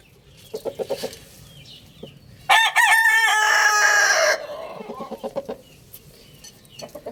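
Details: Rooster crowing loudly, a strident, buzzy crow of nearly two seconds with a wavering held ending. Repeated clucking taps before and after.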